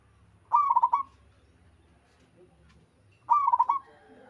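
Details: Zebra dove, a local bird, sings two rapid trilled coo phrases about three seconds apart. Each phrase is a quick series of soft beaded notes on one low pitch, with faint background noise between them.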